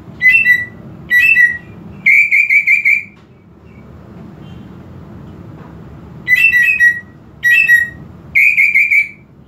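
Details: Provoking song of a greater green leafbird, meant to rouse a bird lacking aggression: two clusters of three phrases each, with sharp slurred whistles and a fast ringing trill, separated by several seconds of quiet hum.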